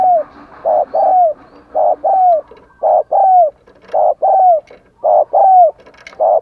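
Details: Caged decoy spotted dove cooing and calling to stir wild doves. Short mellow hooting coos, some sliding downward, come in paired and single bursts about once a second. No other clear sounds.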